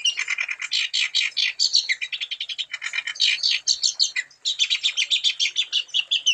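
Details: Continuous wambi song for luring other wambi to sing: rapid, dense high-pitched chattering with thin trilled phrases, briefly interrupted once before resuming at the same fast pace.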